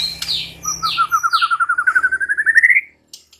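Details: Murai batu (white-rumped shama) song in full, lively form: a few quick descending high sweeps, then a long steady trill of about twenty notes climbing gradually in pitch, ending abruptly with faint clicks.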